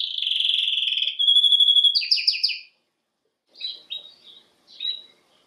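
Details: Canary singing: a long rapid trill near one pitch, then faster descending chopped notes, a pause, and a few short warbled phrases.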